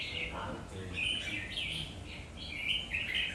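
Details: Red-whiskered bulbul giving a quick run of clear, chirpy whistled notes over steady low background noise.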